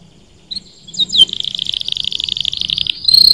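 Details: Canary singing to stimulate other birds to sing: after a few scattered high notes, a fast buzzy roll of tightly repeated notes runs steadily for about two seconds, ending in a brighter high trill.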